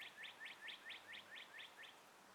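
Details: Birds at sunrise among trees in a light breeze: a bird gives eight short, quick chirps in an even run, about four each second, against soft background hiss.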